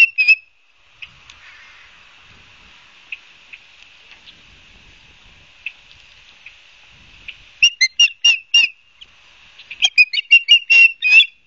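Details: Ospreys on the Barnegat Light, New Jersey nest cam, 12 September 2022 afternoon; a few scattered soft whistled notes, then two bursts of rapid, shrill, slightly harsh chirps near the end.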